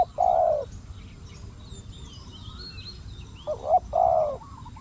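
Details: Spotted dove used as a decoy in trapping of wild doves: a low, hollow coo at the start, then a two-part coo about three seconds later, with thin high chirps from other birds and a steady low rumble.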